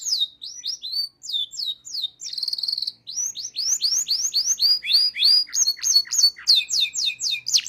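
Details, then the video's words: Local canary in full song as a training recording, with rolling trills and varied fills; loud, continuous high chattering phrases, rapid repeated sweeping notes and buzzy rolls changing every second or so, clean background. "FULL NGEROLL | MASTEAN KENARI LOKAL GACOR | FULL ISIAN | MASTERAN BURUNG KENARI"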